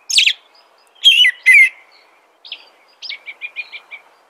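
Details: American robin song: three loud, clear, whistled phrases, each sliding downward, then a pause and a quieter series of short repeated notes at a steady pitch.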